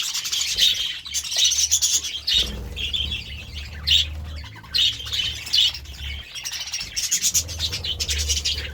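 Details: Several budgerigars feeding on vegetables, a dense flock chatter of rapid warbled chirps and squawks high in pitch, with clicks and pecking sounds and a low rumble underneath.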